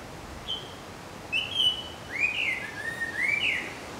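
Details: Indian blackbird at Nandi Hills singing a short, varied phrase of clear fluty whistles, some rising and some falling, over a quiet background.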